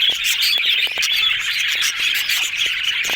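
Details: Happy yellow budgies chattering together, an unbroken stream of rapid high twittering and squeaky chirps, with small clicks and taps underneath.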